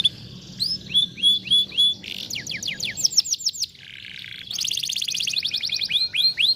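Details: 'Vara de pescar' canary song played to get a lazy canary singing. Soft level whistled notes give way to crisp repeated sweeps, a grating buzzy passage, then a fast shimmering trill and a few upslurred whistles.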